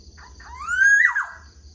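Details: Black-naped oriole calling in the morning: one fluty whistle that slides upward, peaks briefly, then drops away in a slurred fall, under a faint steady high hum.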